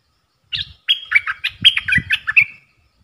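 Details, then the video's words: Caged bulbul singing a duel with wild birds, 3 October 2021: a lively phrase of bright, whistled notes that alternate between high and mid pitch and end in a trailing trill, over low thumping sounds. "เสียงนกกรงดอกแตงEp.82 ดวลเพลงกับนกป่า!!"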